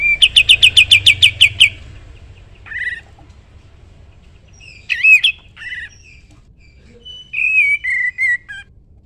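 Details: Sooty-headed bulbul singing energetically as training material for other songbirds: a fast burst of about a dozen sharp, even notes, then scattered short whistled and slurred chirps with quiet gaps between them.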